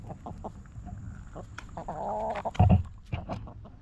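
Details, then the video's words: Hens in a backyard coop give scattered soft clucks, then a longer nasal, tonal call about half a second long, followed by a thud and more clucking over a constant low hum. "Rooster Crowing! Hens Clucking!"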